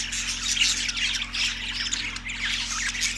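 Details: Budgerigars recorded March 14, 2024 in Larkana, Sindh, chirping together in dense, overlapping high twitters and short scratchy notes that run without pause, with a steady low hum beneath.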